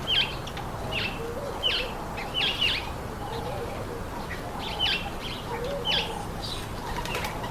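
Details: Speckled mousebirds eating an apple give short, high, downslurred chirps in scattered ones and twos across several seconds, with a steady hiss of background noise.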